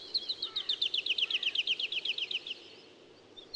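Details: Woodlark delivering a fast, even trill of about twenty repeated liquid notes over two and a half seconds, heard at some distance against a noticeable background rumble, then quiet.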